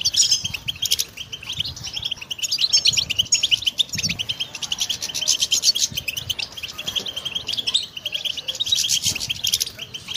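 A goldfinch sings a long, fast, liquid twittering song of high tinkling notes and buzzy trills, running almost without pause; nothing else is heard.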